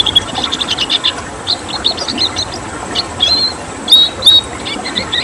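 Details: Red siskin giving its tembakan song, a burst of rapid chirps followed by spaced, bright whistled phrases and short twitters amid light background hiss.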